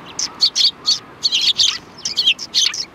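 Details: Several sparrows at a Tenmangu shrine, 3 January 2020, chirping busily: loud, rapid, overlapping high tweets in quick clusters with barely a pause between them.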